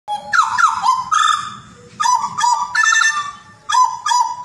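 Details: Butcherbird from Jayapura in vigorous song: grating, nasal notes with strong overtones in short bursts of about half a second, repeated five or six times over a faint low background hum.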